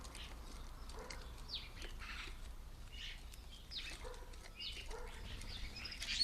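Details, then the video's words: Common starlings at a garden bird table, busy feeding; a run of rasping, downward-slurred squawks and creaky chatter repeated irregularly throughout, over faint low background rumble. "Noisy, lively and always enjoyable to watch as the starlings hit the garden bird table for lunch"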